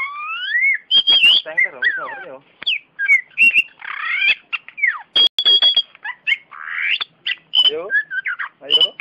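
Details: A caged Oriental magpie-robin (kacer) with a champion record sings a long, varied song. It mixes rising whistles, harsh chattering rattles, buzzy bursts and sharp clicks in quick succession, the whole delivered loud and close.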